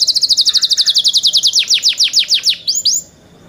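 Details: Young canaries singing a quick, even trill of bright high notes about seven per second, slowing into longer descending slurs and ending with two rising whistles.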